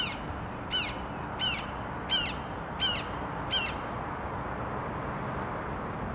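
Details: Red-shouldered hawk on 25 February 2023 giving five squeaky, downslurred kee-ah notes, roughly one every 0.7 seconds, over a steady hiss of background noise.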